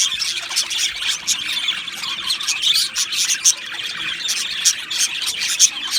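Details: Chirping from two male Australian budgies, a busy stream of thin high twitters and quick squeaks with a few bright, louder notes standing out every second or so.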